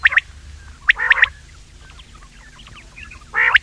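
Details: Common quail call used in hunting: a few sharp, rough triple-pulsed bursts separated by a pause filled with faint scratchy chirps.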